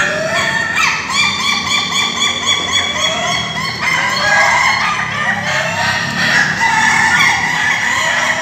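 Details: Laughing-chicken roosters (Ayam Ketawa) at a joint training meet in Bogor, Indonesia, give rapid strings of short, bouncing harmonic notes, about three to four per second, with other roosters crowing underneath.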